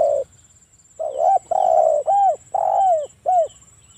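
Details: Spotted dove in breeding condition, a provoking lure call meant to trigger other spotted doves into calling: a short low coo, a pause, then a long mellow coo and three arched hooting notes, with a faint steady high whine behind.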